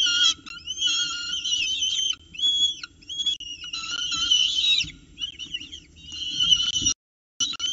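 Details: At an Orange nest box on 29 October 2018, 9:36 am, peregrine falcon chicks compete for prey while an adult begins feeding them. Continuous grating squeals and wavering whistled cries come in long bursts, ending with a brief silence.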